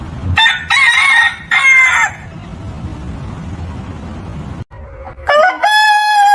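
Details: Crowing roosters in the morning: choppy bursts of a crow at the start, a stretch of low background rumble, then another rooster's strong, sustained, harmonic crow at the end.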